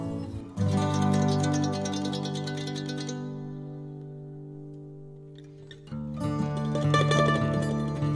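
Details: Plucked string music with sustained low notes, a brief quieter pause midway, then the strumming resumes louder.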